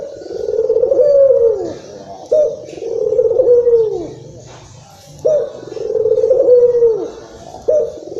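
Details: Local Barbary dove in Indonesia in an excited state, used to stimulate other doves: steady rolling coos, each about two seconds long with a downward slur at the end, three full ones and a fourth beginning.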